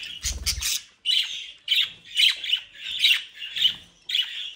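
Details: Budgerigars from a brood kept in South Holland, Netherlands: a short low rattle, then harsh squawks repeated about every half second in a steady series.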